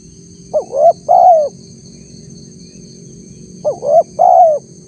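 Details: Spotted dove lure recording aimed at wild doves: two phrases about three seconds apart, each built from a quick upswept note, a rising coo and a held, slightly falling coo; quiet background with a faint high tone.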